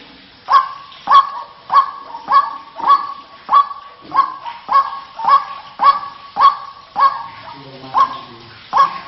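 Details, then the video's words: Waterhen lure recording with a monotonous series of harsh, croaking 'kwaak' notes, each sharp and evenly spaced about 0.6 seconds apart, around fifteen in a row with no break. "SUARA PEMANGGIL BURUNG RUAK-RUAK"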